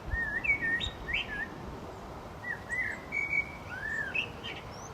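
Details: Mellow, looping whistled phrases from a blackbird, two bursts of warbling notes separated by a short gap, with faint rustling noise underneath.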